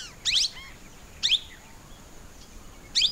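Plum-headed parakeet giving three shrill, high, slightly squeaky call notes about a second apart, over faint background hiss.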